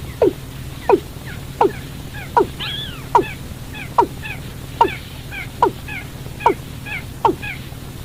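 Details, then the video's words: Watercock call played as a lure for trapping birds at night: sharp, falling knocking notes repeated a little over once per second, interleaved with softer arched, wavering calls, over a steady low hum. "tiếng chim cúm núm"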